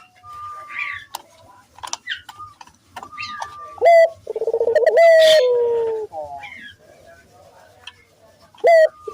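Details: Barbary dove luring call for prompting nearby doves to sing: one low pulsed coo gliding downward midway, surrounded by scattered whistles, clicks and chirps of other birds.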